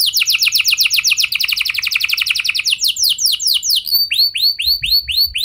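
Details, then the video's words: Canary singing long rolls to provoke other canaries into song: quick series of downward-sweeping notes accelerating into a tight trill, then slower, evenly spaced hooked syllables repeated about four per second. "Pancingan Burung Kenari Biar Ikut Gacor Ngeroll Panjang! Pasti Nyaut Kenari Mana Saja Dengan Ini"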